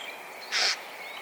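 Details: A single brief, hoarse screech of a Eurasian jay, loud and noisy, rising out of a faint hissing background.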